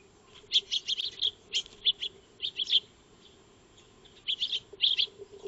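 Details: Eurasian tree sparrows feeding in a backyard, recorded by a solar-powered wildlife trail camera on 2 March 2025: bursts of short, sharp chirps in quick clusters, a pause, then another chirping burst, over a steady low hum.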